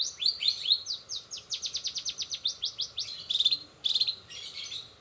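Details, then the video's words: Fast rolling 'rol spid' song of a long-tailed shrike carrying imitated greja BR, greja restu, sogon and kenari parts: a dense run of quick descending chips, then trilled bursts and rapid chatter. "cendet rol spid"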